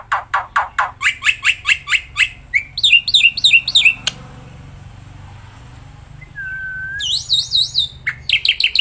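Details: Black-winged myna, kept bird, singing outdoors: a fast rhythmic series of harsh notes and wavy whistles, a pause with background hiss and one low whistle, then looping high whistles and chirps resume.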